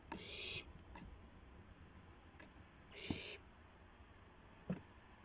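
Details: Barn owl owlet flapping to test its wings shortly after midnight on April 12, 2016: two strong hissing screeches about three seconds apart, separated by quiet knocks and a few sharp taps.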